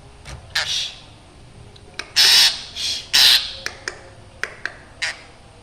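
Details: Chattering black drongo with a sound called frightening; a few brief ticks, then two long grating rasps close together, followed by several short clicks.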